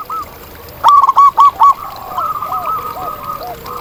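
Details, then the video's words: Local zebra dove singing in the wild: a loud burst of four clipped, hollow cooing notes in quick succession, followed by softer rolling coos from other doves in the background. "Masteran Kutut di Alam"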